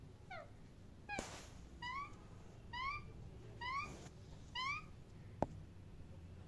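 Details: Parrot giving six short rising chirps, each a bright upward-sweeping note rich in overtones, spaced roughly a second apart over a quiet background with one sharp click near the end.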